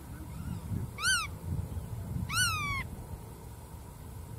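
Two nasal, harmonic calls from a black-tailed godwit, a short arched note then a longer downslurred one, over a low rumble of wind or distant noise.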